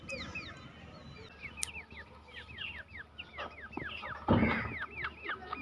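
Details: Black francolin chicks in a forest, with a female nearby: many soft, down-slurred whistled peeps overlapping in a rapid, continuous chorus, with a broader rustling burst near the end and low background rumble.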